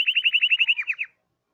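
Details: Hipi canary song phrase: a loud, clean, rapid trill of about twelve repeated chirps lasting roughly one second, each note dipping slightly lower toward the end, followed by silence.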